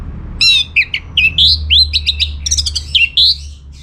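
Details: Orange-headed thrush in vigorous song meant to make other birds respond: a rich, fast run of varied whistled slurs and sharp chips, phrases tumbling one after another with barely a pause, with faint low hum behind.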